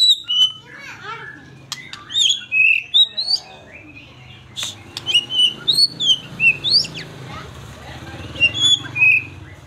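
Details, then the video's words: White-rumped shama in lively fighter-style song: clear high whistled notes, sweeping up and down in quick varied phrases and twitters, separated by brief pauses, with a soft low hum underneath. "Murai batu gacor Fighter"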